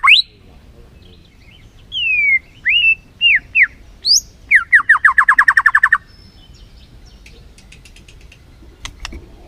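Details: Singing white-rumped shama, played to provoke a lazy shama into song: several slurred whistles, sweeping down and up, then a rapid even series of about a dozen repeated notes. Faint ticks follow in quiet.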